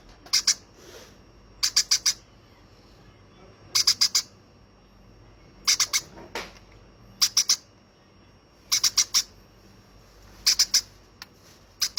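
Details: Hand-fed baby conure calling in short bursts of two or three high, clipped chirps, each burst returning roughly every one and a half to two seconds in a quiet room.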